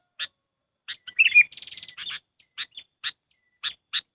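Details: Sooty-headed bulbul lure call used for trapping birds: sharp, bright chip notes spaced roughly half a second apart, broken in the middle by a quick twittering burst and a rapid, even buzzy trill; no other sounds.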